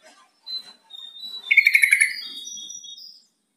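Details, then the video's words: Yellow-vented bulbul calling, a call used to make a quiet kept bird answer and start singing; a rapid bubbly chattering burst of about half a second, with soft thin whistles before and after. "SUARA PANGGILAN TRUCUK"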